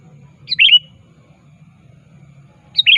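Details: Sooty-headed bulbul (kutilang) calling a rival as a lure: two bright chirped phrases about two seconds apart, each a high note dropping into a short warbling twist, with a quiet hum behind.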